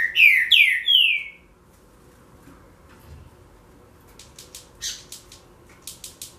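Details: Green-winged saltator (trinca-ferro) song: three loud, clear whistled notes, each sliding downward, delivered within about a second, followed by quieter scattered clicks and ticks.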